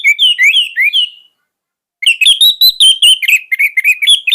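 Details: Orange-headed thrush (anis merah), a caged bird used as a song tutor, gives a burst of rising whistled notes, pauses under a second, then resumes with a rapid chain of slurred, chattering phrases.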